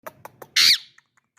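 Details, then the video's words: Pet ringneck parrot showing an unusual voice: a few faint soft clicks, then one loud, harsh, buzzy screech lasting about a quarter second, followed by quiet ticks. "My cute Ringneck parrot showing some unique voice"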